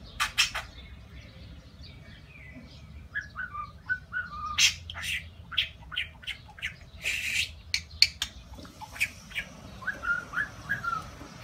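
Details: Pet talking budgerigar professing love, in a recording compiled to coax other budgies into speaking; sparse bursts of scratchy, clicking chatter and brief falling whistles spaced across the stretch, with a constant low hum underneath.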